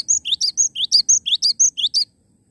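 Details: Cinereous tit singing a lively song: a fast series of bright, high whistled notes, each a quick rising then falling two-part phrase, about a dozen repeated evenly for two seconds before stopping; otherwise quiet.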